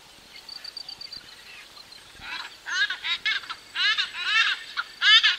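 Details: A pair of White-bellied bustards, recorded close up, give loud, harsh, rhythmic croaking phrases in bursts. A thin high whistle from another bird comes at the start, with other birds and insects in the distance.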